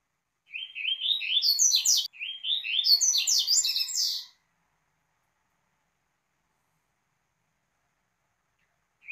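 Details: Double-collared seedeater giving "tui tui" song, used as a tutor and warm-up song to teach and correct other seedeaters: two quick, bright phrases of high, twittering notes rising in pitch and run together, each about two seconds, then silence.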